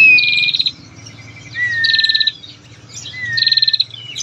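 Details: Long trilling lure call of a female bar-winged prinia, meant to stir males into song. Three phrases, each a fast buzzy trill paired with a clear, slightly falling whistle, about one phrase every one and a half seconds.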